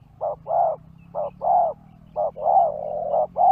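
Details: Spotted dove lure call aimed at wild birds: paired coos, a clipped note then a fuller, rounder one, repeated about every second, the last pair running into a drawn-out tone, over a low hum.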